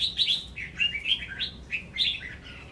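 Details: Female red-whiskered bulbul singing to stimulate males: continuous, slurred and echoing warbled notes rising and falling, with a blurred, reverberant quality.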